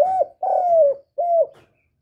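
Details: Cooing spotted dove, the call meant to stimulate newly kept birds: three clear, level coos, the middle one long and slowly falling, then silence.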